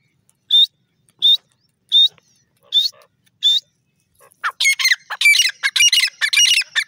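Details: {'caption': 'Grey francolin giving five loud, sharp, high notes spaced under a second apart, then a dense burst of rapid chattering chirps takes over for the last few seconds.'}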